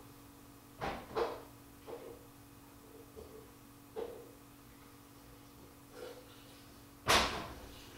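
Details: Indoor knocks and thumps, like a drawer or cupboard shutting, sounding every few seconds over a steady low hum in a small room, with no animal voice heard.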